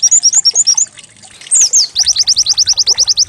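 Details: White-eye song used as a lure to get the bird singing, canary-like in style: a few quick high chirps, a brief pause, two sweeping notes, then a rapid, regular run of bright high chirps.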